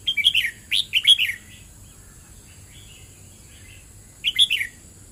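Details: Red-whiskered bulbul giving "เบิ้ลริก"-style song: a burst of several quick chirpy whistles and another short run, then a few soft quiet notes. After a pause a final bubbly phrase follows, over a constant high hiss.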